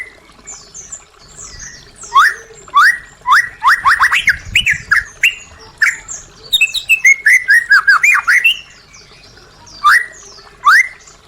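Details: White-rumped shama song meant to stimulate caged birds that stopped singing: loud bursts of rapid descending whistled notes around the middle pitch, with high thin trills above, delivered in quick series separated by short pauses.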